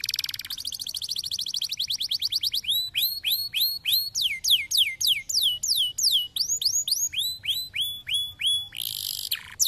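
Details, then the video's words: Canary singing, used to spur reluctant canaries to sing: a rapid rolling trill, then hooked whistled notes repeated about three times a second, closing with a short buzzy burst. "výkonné řešení kanárského líného cvrlikání"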